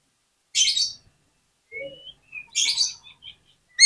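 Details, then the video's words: Oriental magpie-robin song used as a lure for other magpie-robins: two short bursts of scratchy, jumbled high notes with thin whistles and a soft low note between them. "PANCINGAN KACER ANTI GAGAL !! KACER APAPUN DI JAMIN LANGSUNG NGOBRA ON NGUNCI"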